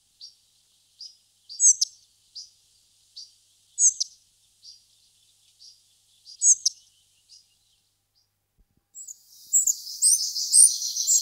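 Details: Spotted flycatcher giving thin, high, sharp call notes, singly or in quick pairs, roughly every half second to second. Louder double notes come near the middle. Near the end the notes give way to a denser high twittering.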